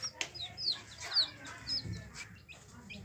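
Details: Yellow hen chicks giving scattered thin, high peeps with falling sweeps, quieter and sparser, over a low background hum.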